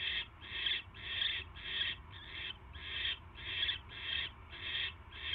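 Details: Barn owl recorded at 10:22 PM on January 22, 2016 during a mouse delivery to the nest: around ten strong, buzzy rasping hisses in a regular, quick rhythm.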